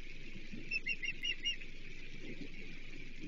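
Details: Osprey calling at its Chesapeake nest in a thunderstorm on 25 July 2023, with a fish delivered: five or six sharp whistled chirps in under a second, partly buried in steady low rain and storm roar.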